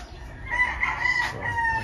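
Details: Rooster crowing on a chicken farm with many chickens, in the afternoon: one drawn-out, harmonic crow of about a second and a half, wavering slightly and tailing off, over steady low background rumble.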